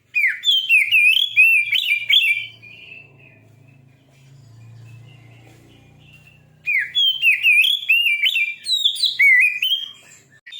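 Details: Oriental magpie-robin singing loud, fast, repeated sweeping whistles in two long bursts. A low hum fills the quieter middle section.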